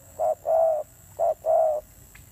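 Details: Spotted dove, a recently wild-caught bird with a fierce voice, giving two low cooing phrases. Each is a short hoot followed by a longer, steady, hollow coo. The background is quiet.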